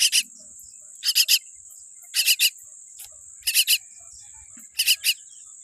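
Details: Rasping calls from a tiny newborn common myna with a weak beak come in clusters of two to four notes about every second, with a constant high-pitched insect whine behind.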